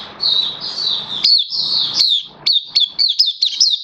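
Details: Oriental white-eye kept as a hobby cage bird, 11 September 2022: smooth slurred high warbles, then a quick series of sharp chirps with steep upward flicks.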